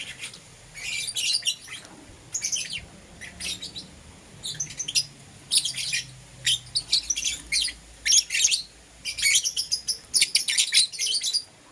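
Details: Caged lovebirds, green opaline and lutino, chirping in the morning: repeated short bursts of sharp, scratchy high notes roughly every second, growing busier toward the end, with a faint low background hum.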